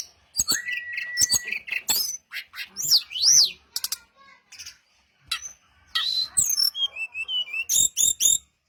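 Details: Brown-chested jungle flycatcher song played to lure other birds to respond: a long flat whistle, then sharp high chips, looping rising-falling whistled notes, and a rapid series of clicks at the end.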